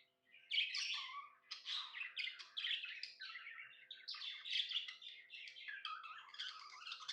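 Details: Indoor pet budgie in a happy mood, pouring out fast scratchy chirps and warbled chatter, loud sharp bursts followed by a steady babbling stream.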